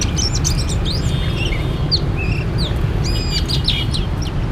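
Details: Oriental magpie-robin song at a bird-trapping site: varied clear whistled phrases, short slurred upward and downward notes and bright chirps in quick succession, set against a steady low rumbling background noise.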